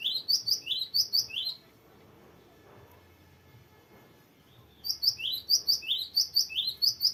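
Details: Cinereous tit in full, varied rolling song for training captive birds: crisp high notes paired in quick, bouncing phrases, repeated rapidly in two bursts separated by a three-second quiet gap with low room hum.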